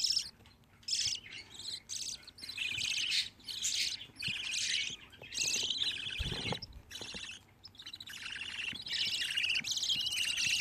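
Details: Several budgerigar chicks from a group of fifteen chatter in dense overlapping rasping, buzzy calls with short pauses between bursts; a brief low thump sounds midway.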